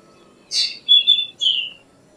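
Black drongo gives a short phrase: a harsh buzzy note, then two high whistled notes falling slightly, all within about a second, over quiet background.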